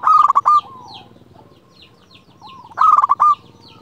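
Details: Clear song of a local zebra dove, meant to call a rival: a staccato run of coos with a trilled finish, heard twice, with soft background cooing and faint chirps between the two phrases.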